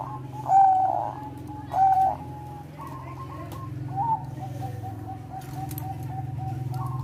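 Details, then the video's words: Bangkok-type zebra dove with a melodious song aimed at raising breeding drive: two loud, short rolling coos early, then soft, fast repeated trilled notes fading into low background hum. "perkutut bangkok suara MERDU BIKIN BIRAHI PERKUTUT NAIK"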